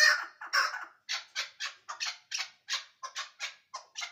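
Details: Chukar partridge, Ishkoshim: two loud, harsh notes open the passage, then a steady run of clipped chuck notes about every quarter second, each note short and noisy.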